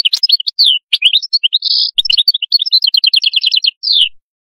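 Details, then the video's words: Qadous-style song of an Atlantic canary: a lively sequence of high chirps and slurred whistles, a brief buzzy held note, then an even rolling series of repeated notes ending in a falling slur. "تغريد القادوس"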